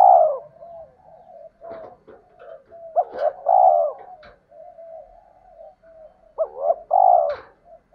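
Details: Spotted dove call, male and female, for stirring up males in decoy training: repeated low two-part coos, a stuttered note then a long husky one, mixed with clicks, knocks and soft background cooing.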